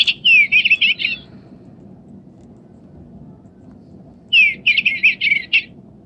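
Bluebird song: two short phrases of soft, warbled whistles around mid-high pitch, each about a second long and three seconds apart, over a low background hum.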